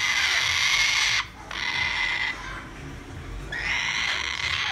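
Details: Young male sulphur-crested cockatoo chick, still hand-fed two to three times a day, gives a harsh, raspy, hissing begging call for food in long unbroken bursts, with two short pauses and a softer middle stretch.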